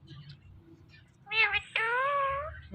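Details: Pet parrots indoors, male teasing female: after faint low murmuring, one bird gives a short squeaky two-part phrase, then a drawn-out, level, nasal, meow-like wail lasting about a second.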